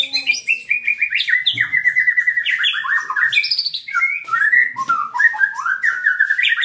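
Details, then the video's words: White-rumped shama (murai batu) being trained to become a fighter, singing a continuous, varied warbling song of quick whistled and chattering phrases that slide up and down, with no pauses across the whole stretch. "CARA MELATIH MENTAL BURUNG MURAI BATU SUPAYA FIGHTER"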